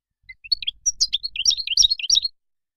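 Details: Moroccan European goldfinch singing a short burst of rapid, liquid twittering: bright, quick rising and falling notes lasting about two seconds, with a faint low rumble behind.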